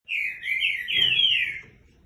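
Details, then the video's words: Green-winged saltator, 3 years and 9 months old, singing a single loud whistled phrase of slurred, rising and falling notes lasting about one and a half seconds, with no other sounds. "TRINCA CANTANDO MUITO"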